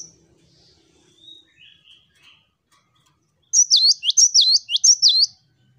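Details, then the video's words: Cinereous tit (gelatik batu) song in a lively, chattering 'wucit wucit' style: after soft, faint twitters, a burst of high, sharp, rapidly repeated whistled notes, each swooping down then up, about six in under two seconds. "GELATIK BATU Wucit wucit Gacor"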